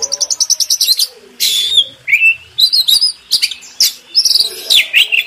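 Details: Oriental magpie-robin (kacer) master song used to train contest birds: fast series of repeated chips opening, then varied whistled notes, sharp rising and falling slurs and buzzy bursts in a rich high-pitched medley.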